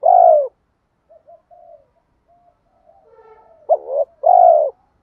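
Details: Spotted dove lure call to stir up wild doves: one long low falling coo, a stretch of quiet soft warbling murmurs, then a wavering double note and another drawn-out descending coo.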